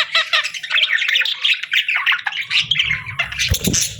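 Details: Busy budgerigar chirping: rapid, rhythmic high twitters and raspy warbled phrases pulsing steadily, with a low rumbling thud and a harsh squawk toward the end.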